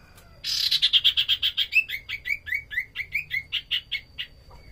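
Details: Sustained energetic singing of a common iora (sirtu cipoh), used as a lure sound: a long steady series of about twenty bright repeated notes, first high and even, then dropping into rolling two-part phrases, in a quiet background.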